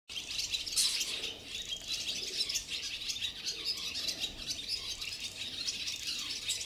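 Barn swallows twitter continuously: a dense, high-pitched chatter of squeaks and chirps that overlap without pause, as if several birds are calling together.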